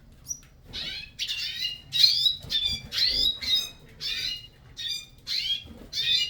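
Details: Caged hooded siskins in a breeding aviary beginning their song: a lively run of high, twittering warbled phrases and buzzy slurred notes, delivered in rapid bursts about every half second with brief gaps between.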